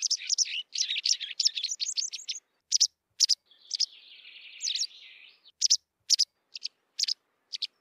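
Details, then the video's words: White wagtail twittering: a fast run of high chirps, a brief buzzy warble, then sharp single chissick notes spaced about half a second apart. "white wagtail sound صوت الذعرة البيضاء"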